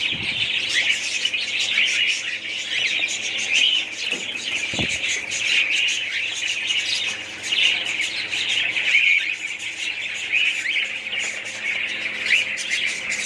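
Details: A budgerigar colony keeps up a constant high twittering and warbling chorus of many voices, with a couple of sharp low knocks partway through.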